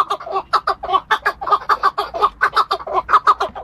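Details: Chukar partridge calling, a sound linked to partridge hunting. Loud, clucking chuck notes repeat in a steady, rapid rhythm, several per second, without a break from start to finish.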